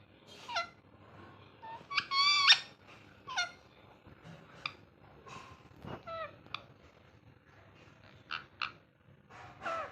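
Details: Short, scattered squawks and chirps from a pet ringneck parrot having fun, irregular and varied in pitch, with quiet pauses between the bursts.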